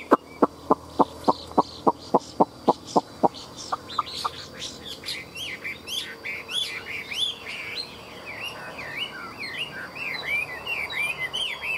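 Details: Caged hwamei hung outside at midday: a run of sharp, evenly spaced clicks for four seconds, then rapid warbled whistles, slurred up and down, carried on to the end.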